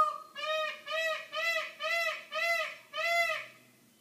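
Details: A peacock visiting a patio from down the road gives a 6am wake-up call: six loud, nasal, wailing calls in a steady run, about two a second, each slightly arched in pitch.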